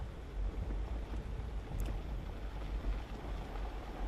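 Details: Steady low engine rumble with wind buffeting the microphone throughout; no animal calls heard.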